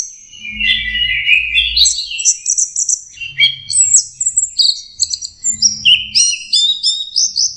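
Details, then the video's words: Rich, varied warbling from a young orange-headed thrush learning to sing, with fast sequences of high chirps, whistles and slurred trills in rhythmic bursts, over low background rumbling. "anis merah belajar kicau"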